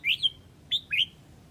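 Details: Red-whiskered bulbul from Huế calling the flock with quick bright chirps, a slurred double note followed by two short rising whistled notes, over a soft low background hum.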